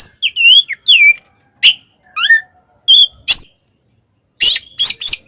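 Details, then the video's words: Oriental magpie-robin 'tarung konslet' fighting song, played to rouse other magpie-robins: curving, wavering high whistles and falling slurs, sharp chips, then a cluster of harsh scratchy notes after a pause. "SUARA BURUNG kacer gacor TARUNG KONSLET nembak ini AMPUH buat PANCINGAN KACER agar EMOSI SEKETIKA"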